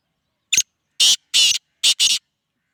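A black francolin gives a harsh, scratchy phrase of five grating notes: one short note, two longer rasping ones, then a quick closing pair, in quiet surroundings.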